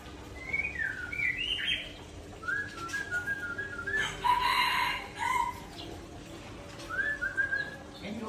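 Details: Murai Aceh, a white-rumped shama, raging through its learned fill-in repertoire: varied clear whistled phrases, some sliding down and some rising, with pauses between, plus a loud harsh burst in the middle and a steady faint hum.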